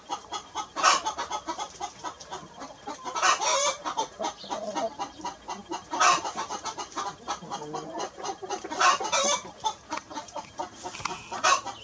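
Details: Hen clucking: scattered short, harsh, broadband clucks in irregular bursts, with several louder bursts standing out against a steady noisy farmyard background.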